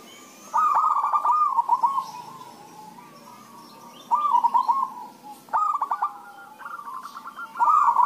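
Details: Zebra doves (perkutut) calling in turn, meant as a lure to set other doves singing; repeated phrases of sharp stuttered notes slide into soft sustained cooing trills, with quieter birds overlapping in the gaps.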